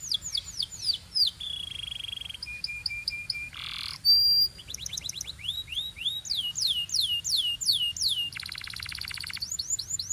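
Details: Belgian-style canary singing with other birds joining: rapid downward-swept whistles, flat held tones, a harsh noisy burst, a piercing high note, then runs of curved whistles and a buzzing roll near the end.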